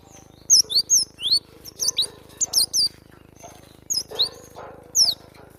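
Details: Cinereous tit song, from a training recording for cage birds: sharp, high down-slurred notes given in short pairs and small clusters with brief gaps, over a steady low electrical hum.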